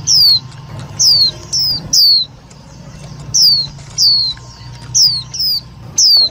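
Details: Trapping lure of a white-eye, loud and clear: single high, clean whistled notes sliding downward, spaced roughly half a second to a second apart, with a pause near the middle and a steady faint hum behind.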